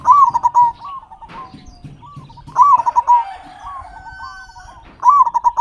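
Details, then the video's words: Local zebra dove singing strongly as a lure for captive doves: loud rapid staccato coo bursts at the start, middle and end, roughly every two and a half seconds, with softer rolling coos between. "Perkutut Lokal Gacor Suara Besar Pancingan Burung Perkutut Agar Cepat Bunyi"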